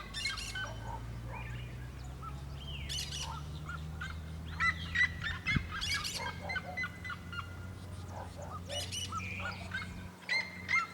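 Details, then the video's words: Cactus parakeet from the Caatinga giving repeated harsh, scratchy screeches among a busy chorus of chirping birds, over a constant low hum. "Periquito da Caatinga cantando"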